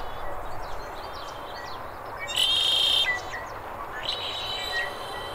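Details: Red-winged Blackbird in the Sonoran Desert, Arizona, gives a loud, buzzy, high trill lasting about half a second, then a shorter rising note, over soft chirps from other birds.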